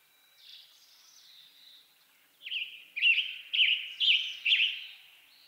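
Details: Western tanager song beginning with soft, thin notes, then building into five loud, burry, hoarse phrases repeated about twice per second before stopping.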